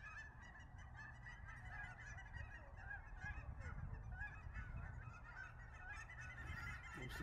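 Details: Wave after wave of cackling geese coming in to land at Billy Frank Nisqually National Wildlife Refuge, February 2023; constant overlapping high yelping honks from a large flock, with steady low rumble beneath.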